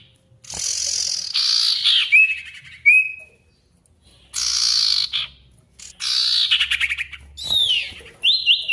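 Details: Ashy tailorbird in full song on a lure track meant to make quiet birds answer: long rasping buzzy bursts alternate with brief clear whistles and a few rapid clicking trills.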